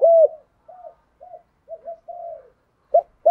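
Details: Short run of spotted dove cooing in field-voice style, the 'thúc' and 'gáy gọi' calls used to train new captive doves: one strong falling coo, several soft muted notes, then sharp loud notes starting again.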